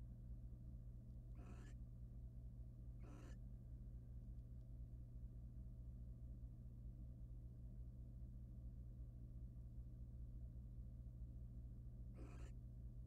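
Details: Wild barn owl pair at a nest box while the male preens his mate's feathers: three separate harsh, noisy screeching hisses, two close together near the start and one near the end, over a continuous low hum.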